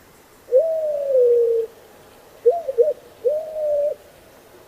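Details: White-crowned Pigeon, a large dark Caribbean pigeon with white cap found in the U.S. only in extreme southern Florida, giving a slow, repetitive cooing song: a long level whoop, a short wavering double note, then another drawn-out whoop.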